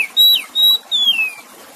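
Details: Oriental magpie-robin song paired with gentle water sounds to stimulate a silent bird: three clear whistled notes, two held flat and level, the last a long smooth downward slide, with faint water hiss behind.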